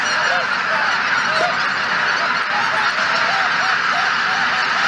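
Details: Geese collected at Shishihana on Izunuma marsh on a cloudy early morning before leaving in several groups. Clear arched honks repeat over and over atop the dense background clamor of the flock.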